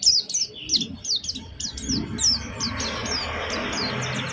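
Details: Single Oriental white-eye lure song to get other white-eyes singing: a brisk run of high downslurred chips, about three per second, fading into a background hiss.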